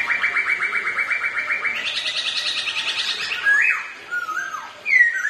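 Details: Pair of ornamental black-throated laughingthrushes singing competitively and dancing: a steady rapid trill that lifts in pitch, followed by a sharp rising whistle, a falling slur and a final bright note.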